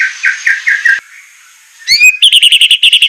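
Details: White-rumped shama, a training recording for captive birds in a sharp semelet style with rough bursts: a row of short buzzy notes, a pause, then rising whistled sweeps and a fast, even series of ringing notes.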